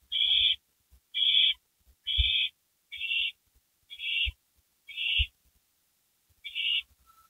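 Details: Owls at a porch around midnight in May 2012, giving a steady run of seven harsh hissing screeches about once a second, each roughly half a second long, over faint thumps.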